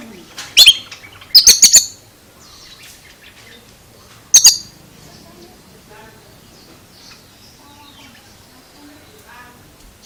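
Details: Oriental magpie-robin giving a few sharp, high, rapid note clusters early on, then near quiet with faint background sounds.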